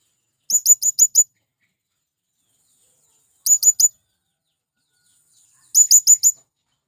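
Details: Calling male blue-crowned hanging parrot, used to attract wild birds, gives three short runs of thin, piercing high chirps, four or five per run, separated by silent gaps of about two seconds.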